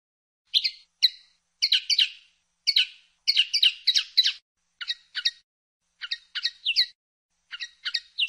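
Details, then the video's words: Common linnet in 2016, singing in separate bursts of two to four quick twittering, chirping notes, with short pauses between groups; clean and high-pitched. "El Canto del Pardillo"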